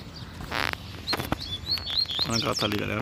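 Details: Wild double-collared seedeaters in scrub near a nest, with a caged bird also singing nearby; a female is agitated. High, thin whistled notes are repeated in a quick series, with a loud rustling burst at the start and a voice and handling noise.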